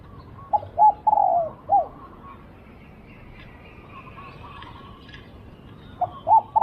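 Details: Spotted dove at a decoy-luring session, singing a phrase of hoots and a long falling coo, then a quiet gap with a faint distant hum, and another phrase beginning near the end.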